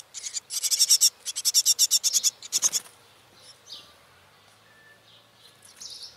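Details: Tit family at fledging time in late April, nest in a tree log in a village house garden; parents sang to encourage the young to fly. Rapid bursts of high, scratchy chirps, about a dozen over two seconds, then faint thin notes.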